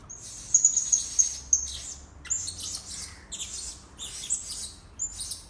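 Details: Blue-crowned hanging parrot lure sounds for drawing birds in: a fast high twittering trill, then a run of shrill, scratchy chirps in quick bursts.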